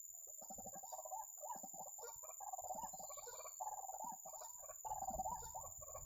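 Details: Ruak-ruak, the white-breasted waterhen, during bird trapping, gives a steady stream of rough, gulping croaks that rise and fall in loose bursts over several seconds, with a little low rumble underneath.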